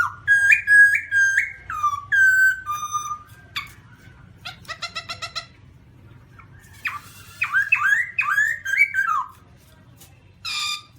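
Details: Black-throated laughingthrush sings in 2017 with a rapid string of bright whistled notes, then a buzzing trill and quiet pauses. Jumpy, warbling whistles rise and fall before a single final harsh note.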